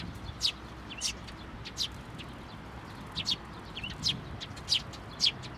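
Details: Sparrows at a Tenmangu shrine on 22 May 2024, coming for food while chicks are fed: brief, high, sharp chirps roughly every half second to second over a low background hum.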